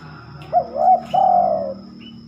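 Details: Spotted dove singing after dark, which it rarely does: one phrase of two quick hooked notes and a drawn-out, gently falling low coo, with a steady low hum behind.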